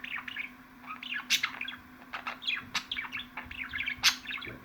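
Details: Budgerigar chattering: a busy, continuous warble of quick chirps, squeaks and short whistled slurs, with a steady low hum underneath.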